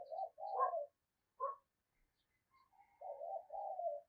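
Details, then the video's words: Spotted dove used as a lure bird, cooing in the 'thúc gù' style to draw in wild doves. Soft low coos at the start and end, with a brief higher note between them and a quiet background. "cu gáy mồi cây thúc gù bài bản"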